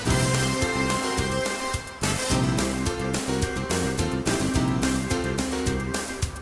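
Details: Loud instrumental music with a steady beat and layered chords, and no animal sounds.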